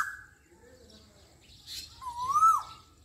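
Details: Asian koel in a Pakistani village: a single loud, clear whistle that swells and rises in pitch before dropping sharply at the end, with a faint note and quiet background chirps beforehand.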